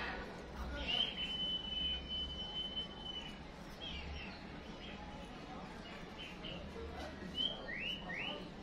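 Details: White-rumped shama, with a female used as a fighting lure to quickly rouse a male: a long steady high whistle, then short sharp notes and a pair of rising slurred whistles, over low rumbling noise and faint voices.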